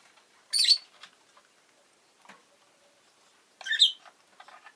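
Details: Pet rosy-faced lovebird chirping indoors: two loud, harsh, broadband squawky chirps about three seconds apart, with faint soft twitters between them.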